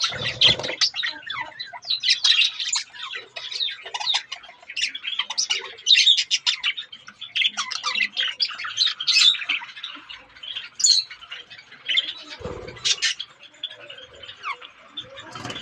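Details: Budgerigars in breeding season chatter continuously with warbling, scratchy chirps and occasional sharp squawks.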